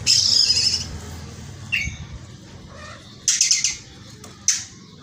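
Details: Caged Oriental magpie-robin singing with kingfisher-call material: harsh high buzzy bursts, a short dip-and-rise note, then clipped rasping phrases, with low electrical hum underneath.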